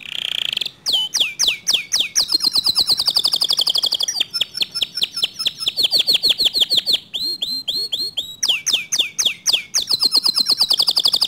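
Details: Canary song meant to spur other canaries to sing: long varied phrases of rapid trills, sweeping whistles and rattling rolls, broken by short pauses and resuming with bright repeated notes.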